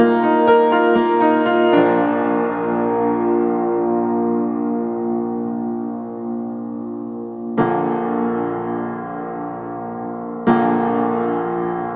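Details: Slow piano chords ring out and fade, struck again twice; no animal voice is heard.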